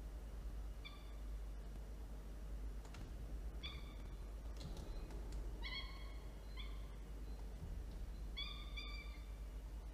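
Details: Falcon calling at a nest with two chicks during an afternoon feeding on 13 October 2022, after prey was delivered: short, nasal, harmonic notes in small bursts of two or three, spaced a couple of seconds apart, with faint rustling and constant hum.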